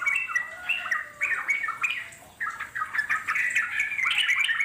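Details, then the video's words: Wild trucuk song, short bursts of bubbly slurred notes separated by brief gaps, then a busier continuous chatter near the end. "puterin suara trucuk alam di jamin lasung nyaut"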